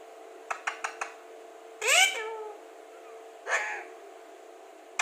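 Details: Alexandrine parakeet, a talking parrot said to speak very clearly, gives a few short clicks, then a loud harmonic call that arches up and falls, and a second rising call after a pause, indoors.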